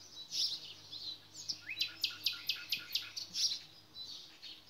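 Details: Nightingale singing in a nature recording: a run of about ten sharp, high, evenly spaced notes in quick repetition, framed by softer warbled phrases, over a faint low hum.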